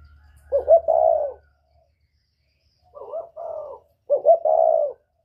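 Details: Northern-type spotted dove with a whistle-like voice, used to provoke wild doves; three mellow cooing phrases, each a quick double note sliding into a drawn-out low coo, with a pause of over a second between the first two phrases.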